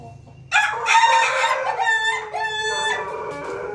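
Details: Pelung chicken crowing: after half a second of low background hum, one long, loud harmonic crow sets in, breaks up in the middle, then holds a drawn-out tone for about three seconds.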